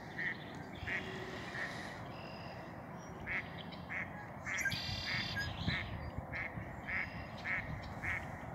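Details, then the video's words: Red-winged blackbird at Lake Josephine, Billings, Montana, giving short clipped check notes repeated roughly every half second, broken by one harsh buzzing trill midway, over constant rushing background noise. "What makes that sound? Red - winged blackbird."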